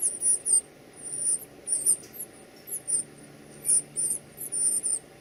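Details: Nestlings begging while being fed: shrill, piercing squeaks in quick clusters, some slurred and dropping in pitch, coming in bouts about every half second, with a soft low background hum.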